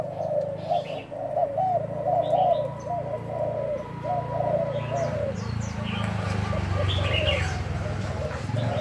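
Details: Decoy spotted dove during a 1 November cooing test: several low, soft coos in the first seconds, then a rumbling background noise takes over with faint chirping birds.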